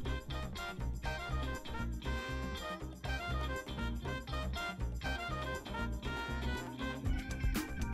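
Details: Lively swing-style music with brass and steady rhythmic beats plays throughout, and no animal voice can be picked out.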